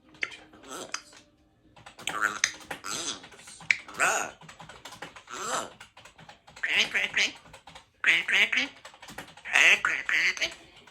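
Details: A pet grey parrot chatters through the afternoon in bursts of mimicked speech, with clicks, squeaks and whistled fragments, pausing briefly between phrases.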